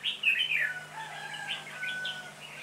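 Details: A decoy red-whiskered bulbul, the lead bird calling in a flock for trapping on 26 November 2017, gives one loud, quick warbled phrase, then softer, scattered chirps trail off over a faint low hum.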